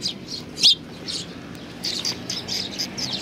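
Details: Eurasian tree sparrows coming to a bench to be fed, 3 June 2020; busy high chirping, one loud sharp chip early on, then a quick series of softer twittering notes.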